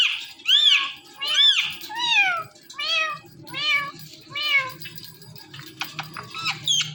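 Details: Pet talking parrot calling out in mimicked speech: six arched, harmonic, meow-like syllables in a steady series about one per second, followed by a few short squeaks, indoors with a low hum.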